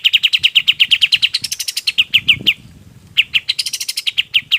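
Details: Song of a golden-bellied gerygone used for training other birds: a fast, steady string of piercing, high down-slurred notes, a brief pause, then the series resumes with a fizzy flourish.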